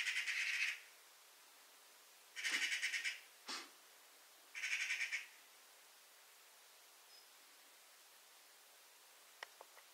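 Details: Eurasian magpie producing short rasping chatter phrases, three rattling bursts under a second each, separated by pauses, with a brief harsh note between them and a few faint ticks later.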